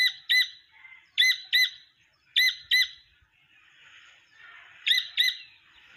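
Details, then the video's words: Wild partridge chick giving sharp, piercing double chirps, four doubled pairs spread across six seconds, with soft hissy noise between them. "جنگلی تیتر کے بچے کی اواز"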